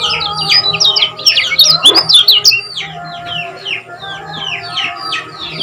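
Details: Common iora song used to prompt other ioras to sing, a Lombok training recording: rapid sequence of bright whistled and chirped notes, dense at first then looser, with a steady low hum and faint background tones.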